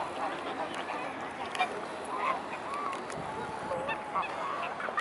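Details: Many mute swans gathered at Blaues Wunder, 22 May 2016 at 19:25 in the evening: soft, drawn-out nasal calls come one after another through constant background hubbub.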